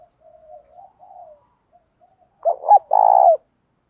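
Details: Spotted dove used as a decoy to incite fighting; soft low murmured cooing first, then a loud phrase of two short notes and a sustained vibrating coo.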